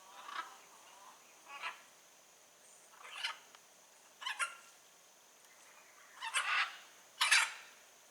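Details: Wild blue-and-yellow macaw giving harsh, raspy squawks, about seven spaced unevenly over eight seconds, the last two loudest and broadest, with quiet gaps between.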